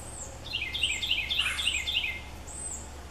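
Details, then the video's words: Fledgling red-bellied woodpecker begging as a parent feeds it; a steady rapid series of short rising chattering notes over low background rumble, with faint high bird calls. "Red-bellied Woodpeckers feeding fledglings"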